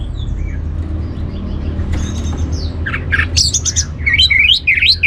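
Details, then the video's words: Orange-headed thrush singing, used as a teaser to make other birds sing: after quiet faint background calls, a burst of fast, varied twittering notes and short rising whistles, with steady low-pitched noise throughout. "ANIS MERAH Cor Suara Penggoda Membuat Burung Kenceng Jadi Ngeplong Lanjut Teler"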